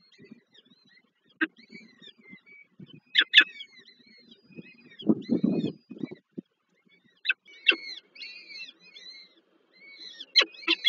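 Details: Peregrine falcon chicks begging as the female feeds four young at a nest at the Żerań heat plant, Warsaw, Poland, 7 May 2023, the fourth chick still weak; thin high downslurred chirps in bursts, with low rustling and thumping around the nest.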